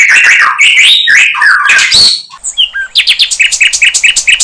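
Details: Sikatan londo flycatcher in the wild. It gives loud, rich warbling phrases with slurred whistles, then a crisp series of short, evenly repeated high chips that speed up toward the end.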